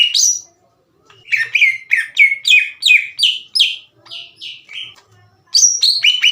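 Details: Greater green leafbird, a kept songster past its juvenile twittering stage, calling out other leafbirds to fight. A high whistle, a brief silence, then roughly ten harsh, downslurred notes, a few softer whistles and a final loud burst.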